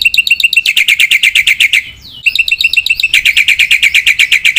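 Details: Black-winged myna singing energetically with full mimicry inserts: fast runs of sharp, ringing chip notes, about four a second, briefly broken by a short slurred glide before the rapid chatter resumes.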